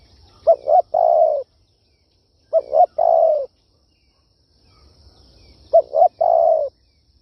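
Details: Spotted dove, kích bổi luring call style: three phrases of two short soft coos followed by a sustained hollow coo, about two to three seconds apart, with faint low background noise.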